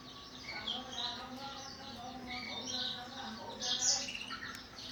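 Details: Several caged canaries and black-throated canaries singing in the morning during a breeding check, giving rich trilled phrases with layered tones and quick chirps, overlapping one another above a low steady drone.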